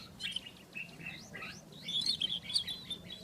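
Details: A rufous-tailed scrub robin (Cercotrichas galactotes) sings in the wild: a fast, varied run of clear whistled slurs, rising and falling, ending in bright sharp notes, over a faint low hum.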